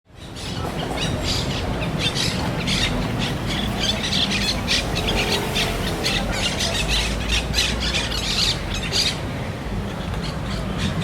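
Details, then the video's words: Parrots calling in a city: harsh, broadband squawks burst out rapidly and irregularly, often several per second, over a steady roar of urban traffic and background noise. "Parrots in the city, ambience/ Papageien in der Stadt/ Papugi w mieście"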